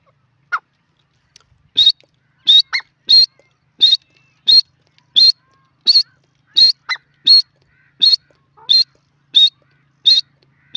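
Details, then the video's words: Grey francolin, known in India as teetar, repeating short, sharp high notes at a steady pace of about one every 0.7 seconds, with an occasional lower, softer note between them in an otherwise quiet background. "teetar ki awaaz,the francolin bird sound of india"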